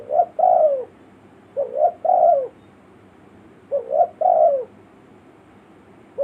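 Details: Village spotted dove cooing used as a lure for forest birds: three phrases, each two quick soft notes followed by a longer wavering coo, about two seconds apart, with little else audible.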